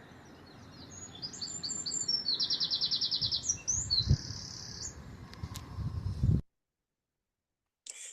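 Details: Wren song played back during a garden wildlife talk: a loud, rapid, high trill of evenly repeated sharp notes lasting several seconds, ending in a brief flourish, over low background rumble, then silence.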